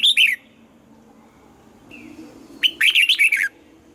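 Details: Red-whiskered bulbul in morning song training for a wild-sounding double-note song; a short warble, a soft single whistle, then a longer phrase of rapid rising and falling whistled notes.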